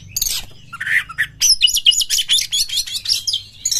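Oriental magpie-robin singing a rapid, varied run of high whistles and sharp chirps, with a lower warbling phrase early on and a faint hum beneath.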